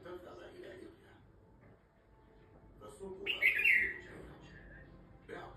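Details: Kashmiri bulbul: after low murmuring voices, a short bright warbled phrase bursts out midway and fades within a second.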